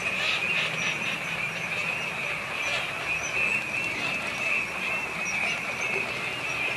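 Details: Large wintering flock of Eurasian teal at EVOA during winter 2012/13. Dense, continuous chorus of short, high whistled notes overlap steadily throughout, with faint low background rumble.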